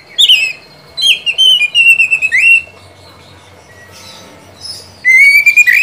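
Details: Oriental magpie-robin singing, recorded to prompt another bird to sing: sweet whistled notes and warbled phrases, several quick repeated whistles ending in a rising slur, a pause, then a long upward-sliding whistle with rapid trills.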